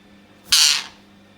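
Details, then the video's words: Loud call of a rose-ringed parakeet: one harsh, rasping, high-pitched screech lasting about a third of a second, rising sharply and then fading, with a quiet indoor background and no other sounds. "Loud parrot chirping sound"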